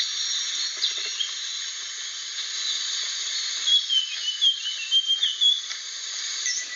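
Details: Aceh's rare blue flycatcher, protected and declining, delivers a burst of pure whistled notes in the second half, rising and falling quickly, over constant high hiss.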